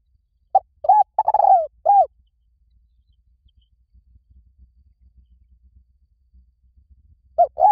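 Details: Spotted dove cooing, used to draw in wild doves to a decoy: a phrase of short hollow coos followed by a longer burry descending coo and a final coo. A pause of over four seconds follows, then the phrase begins again. The background is quiet.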